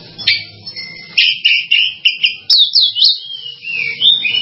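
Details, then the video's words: Oriental magpie-robin with a series of short, clear whistles repeated rapidly, then a tumbling, descending warbled phrase. "SUARA BURUNG KACER"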